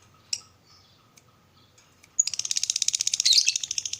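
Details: Lovebird morning chatter for stimulating other lovebirds: a few scattered sharp chirps, then a sudden burst of rapid, high, grating trilled notes.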